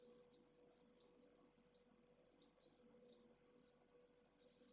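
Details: Pallid swift nestling, a few hours old and from the second clutch, begs insistently to be fed at a nest in Jerez de la Frontera, Spain, in 2022. It gives a steady stream of shrill, warbling, slightly rising high twitters with brief gaps, and a faint hum beneath.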